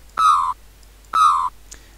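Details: A very vocal juvenile Australian magpie living in a backyard gives two nasal, richly harmonic calls about a second apart, each drawn out with a slight vibrato and sliding slightly downward, over faint background hiss.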